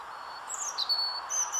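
European robin song: a short run of thin, very high whistled notes, some sliding and some held, over a steady background hiss of low noise.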